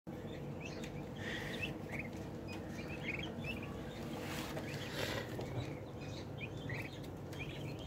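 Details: A flock of 30-day-old turkey poults peeps constantly with short, high chirps overlapping from many birds, over a steady low rumble of barn noise.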